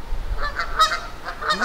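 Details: Canada geese turned hostile in a park in Kitchener, Ontario: a few fainter, shorter honks spaced through a noisy background with low rumble, voices close by.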